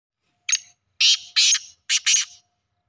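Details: A black francolin in a village, part of its daily routine, gives a loud, harsh, grating phrase of five notes: one short note, then two longer rasping pairs, over about two seconds.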